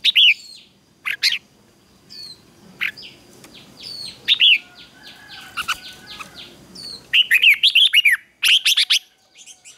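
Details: Morning fighting song of a red-whiskered bulbul used for song training: scattered loud whistled phrases with down-slurred notes, building to a dense run of rapid warbling near the end over faint background chirps.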